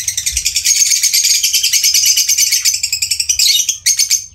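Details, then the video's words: Pet lovebird during a training session, giving a continuous, rapid stream of high, scratchy chirps and twitters for over four seconds, with brief pauses near the end and no other sounds. "Smart lovebird Parrot"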